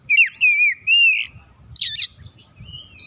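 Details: Oriental magpie-robin, said to be reluctant to sing, delivering three long clear whistled notes that waver and slide downward, then a burst of harsh scratchy chatter and a final thin whistle over faint low rumble.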